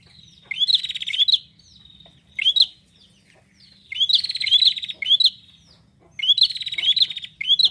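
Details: Singing gacor bar-winged prinia gives three bursts of high, ringing upslurred chirps mixed with rapid buzzy trills. Short quiet gaps fall between the bursts. No other clear sounds.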